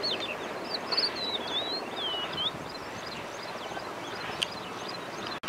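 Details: Lark singing at Tel Shikmona on 24 April 2022: a fluid run of thin, twisting whistled notes, rising and falling quickly, then fainter scattered chirps, over steady traffic-like rumble and breeze.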